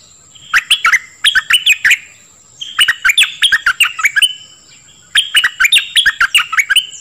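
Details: Song of a dok taeng bird, played to teach young birds and make them lively: three phrases of quick, sliding chirps and clicks with a faint continuous high tone behind.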